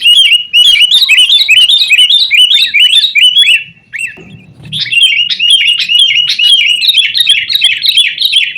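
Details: Busy sooty-headed bulbul chatter, a lure to get caged birds singing; a fast series of repeated sharp notes, a brief lull around four seconds, then an even livelier run.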